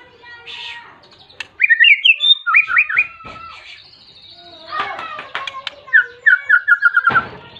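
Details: A vigorous white-rumped shama sings to call a rival and provoke other shamas: varied clear whistled phrases, quick rising and falling slurs, then a fast run of repeated sweet notes near the end, with brief sharp clicks between phrases.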